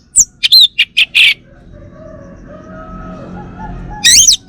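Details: Male orange-headed thrush from Bali, a kept bird in Singaraja, North Bali, giving a quick run of high descending whistles and rough notes, a pause with faint low whistles, then a loud rising-falling phrase.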